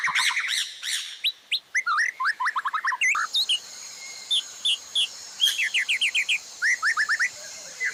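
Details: Master recording of white-rumped shama song for teaching caged birds to sing, with filler phrases: dense stacked trills, then sharp upward-flicked whistles in quick bursts, and a clipped cut partway through over a faint steady hiss.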